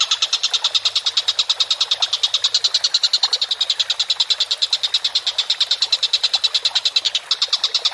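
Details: Vigorous Collared kingfisher giving an unbroken chatter of fast, harsh, evenly pitched notes throughout, with a brief hitch near the end.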